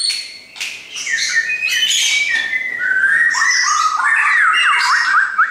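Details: Captive shama brought along by its owner, singing a rich run of clear whistles and fast warbled phrases that slide between mid and high pitches, loud and continuous with little background noise.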